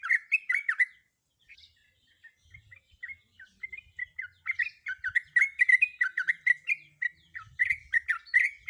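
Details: Female sooty-headed bulbul in breeding condition calling to a male; bubbly run of short chirped and slurred notes, many quick up-down inflections, a brief pause near one second, then dense chattering phrases continuing to the end.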